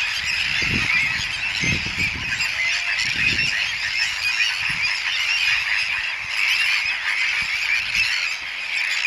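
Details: Tern colony at Polder de Sébastopol, Barbâtre, France, 12 June 2014, where a ringed male elegant tern, after failed nesting, attacks Sandwich tern chicks: a dense, unbroken din of harsh, grating calls from many birds, with a few low thumps beneath.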